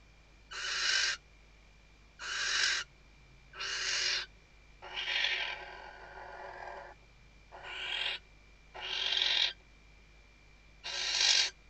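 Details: Female Western barn owl at a nest webcam in Riet Vell Nature Reserve, Ebro Delta, Tarragona, Spain, 2023 season, calling the male while stuffing the nest: harsh broadband hissing screeches, about half a second each, repeated seven times with irregular gaps.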